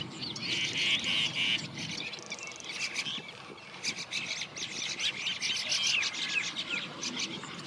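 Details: Juvenile brown rock chat (Indian chat) calling: a steady run of short, high, scratchy chirps and squeaky notes, several per second, with a faint low rumble of background noise.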